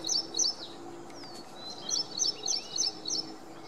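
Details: Ashy prinia singing, recorded on April 3, 2022 with a Panasonic FZ-70 camera: high, sharp doubled chirps repeated in a quick steady series, roughly three to four per second, with a brief gap midway and a quiet background hiss.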